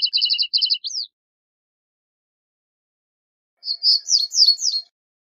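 Reed bunting song: short phrases of a few high, clipped chirps ending in a quick jangling flourish, repeated after a pause of a few seconds; nothing else heard.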